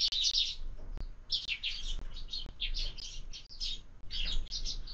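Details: Sparrows at a bird feeder mounted on a window, eating breakfast; lively chattering chirps in quick bursts, several birds overlapping, brief tap sounds mixed in.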